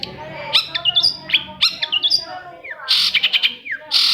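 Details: Long-tailed shrike singing to spur other shrikes to sing: a busy mix of chattering notes, rising and falling whistles and harsh broadband bursts, varied and fast, over a soft low hum.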